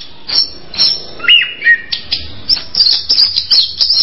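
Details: Orange-headed thrush giving a few spaced sharp notes, then clear slurred whistles around the middle, ending in a fast run of high chirps.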